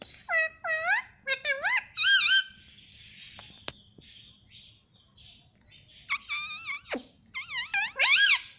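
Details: Pet parrot said to talk, saying "mummy papa": loud harmonic, bending syllables in quick bursts, a cluster at the start, then a pause and another run of rising-and-falling squawky notes near the end.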